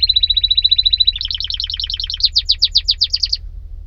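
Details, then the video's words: Singing canary: a steady rapid trill, then quicker doubled notes, then widely spaced descending sweeps before the phrase stops abruptly. ".تغريد طائر الكناري ...Nicest twitter canary"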